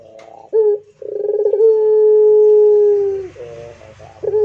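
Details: A pelung-type Barbary dove delivers a clipped opening note, a rolling burr and a long, even, slowly sinking coo, followed by the start of the next phrase. Faint low rumble underneath.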